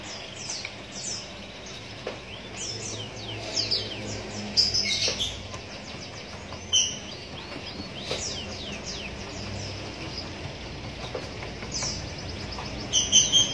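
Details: Young Javan munias beg during hand-feeding with a used straw. Many thin, high, falling cheeps come in irregular clusters, with occasional clicks and a low mechanical hum throughout.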